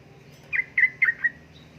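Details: Female sooty-headed bulbul calling a male, in heat: four short bubbly chirped notes in quick succession, about a quarter second apart, over a low steady hum.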